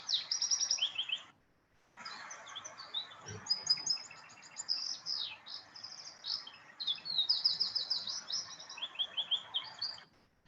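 A wild canary sings a rapid, high, varied stream of twittering and trilled syllables, bright whistles mixed with buzzy notes and few repeats, after a brief pause.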